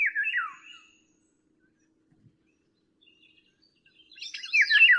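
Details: Eurasian Golden Oriole: a descending fluty whistle opens the recording, followed by near silence, then a louder, more tangled burst of whistled and slightly harsher notes at the end.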